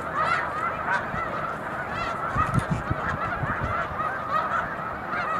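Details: A huge gathering of snow geese at the Montezuma mucklands, New York, March 2022, circling and settling to land: countless nasal, yelping honks pile into one continuous clamour with no pause.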